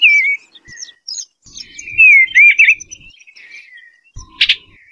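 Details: Eastern bluebird with a gentle, wavering warble, a short falling note and then a longer rolling phrase, closing with a sharp click.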